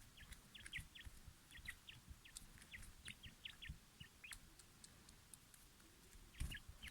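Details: Quail readied for a fight, giving short, sharp, high chirps in quick irregular bursts, some paired, with scattered clicks and a low rumbling background throughout.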